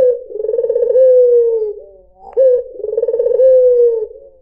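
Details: Deep, soft cooing from a white dove (puter putih), played to lure other birds. Two phrases each pair a burbling, wavering roll with a smooth, drawn, slightly descending tail. A small click marks the gap between them.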